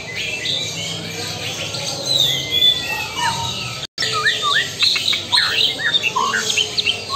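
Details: White-rumped shama of Lampung Super stock: lively song of looping whistles, downslurred notes and clipped chirps, broken by a brief silent gap near the middle, with steady hiss throughout.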